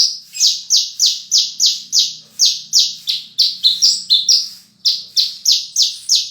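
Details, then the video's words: Horsfield's bush lark delivering a fast, steady run of high descending chirps, about three per second, briefly switching to paired higher and lower notes before resuming the even series, over a faint low hum. "Burung Branjangan Gacor full isian"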